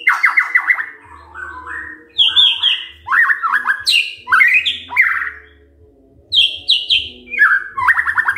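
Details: Morning song of a white-rumped shama, meant to stir other birds into singing, with rapid descending slurred note series, clear whistled rising and falling phrases, high sharp flourishes and short gaps, over a faint low background hum.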